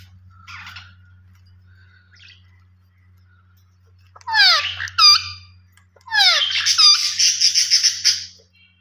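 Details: Low hum underneath a few quiet squeaks, then a ringneck parakeet's loud descending screeches followed by a run of rapid, rasping chatter.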